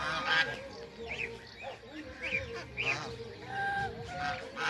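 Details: A pair of mallards meeting, calling back and forth with nasal quacks and short rasping notes in quick irregular bursts, over a steady background hum.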